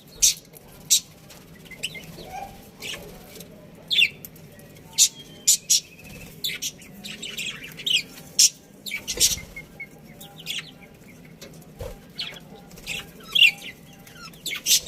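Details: Budgerigars kept as a breeding colony let out sparse, sharp single chirps and short twitters spaced a second or so apart against a quiet background.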